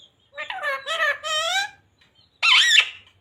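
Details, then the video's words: Talking green parrot known for the phrases 'radhe radhe', 'mithu beta' and 'sita ram'; three quick voice-like syllables in a nasal, human-imitating tone, a short pause, then one shrill, wavering squawk. "Talking parrot radhe radhe 🦜 mithu beta 😍 sita ram 🥰 Bolne wala tota"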